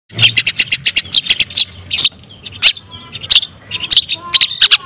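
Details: Long-tailed shrike, white-breasted form, giving song used to stir other shrikes into emotional singing. Short, sharp high chirps in a quick series, then scattered squeaky notes separated by brief pauses.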